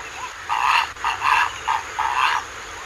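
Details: A Purple heron calls with harsh, rasping croaks, four rough bursts in about two seconds, over a faint background hiss.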